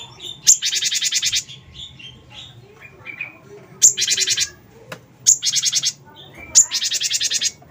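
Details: Cinereous tit (gelatik batu wingko), a bird used to make others sing: four loud buzzy rattles, each beginning with a short sharp note, separated by quieter varied twitters and faint background noise.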